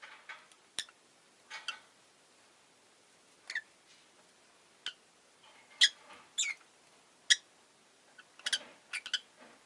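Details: Rosy-faced lovebird making irregular high chirps and squeaky notes, some rising, spaced a second or two apart over low background hiss, with scattered clicks.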